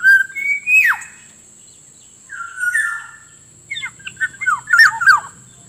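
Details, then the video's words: Black-naped Oriole lure recording for attracting wild orioles and prompting quiet ones to sing: a rising whistle ending in a sharp downward slur, a drawn-out fluty note, then a rapid series of short slurred whistles, with a constant high hum. "suara pikat burung kepodang ampuh langsung dapat banyak"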